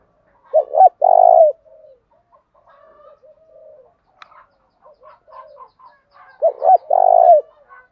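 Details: Spotted dove calling as a fighting decoy: a loud low coo phrase of two short notes and a long mellow coo, quiet soft cooing notes in the gap, then the same loud phrase again about six seconds later.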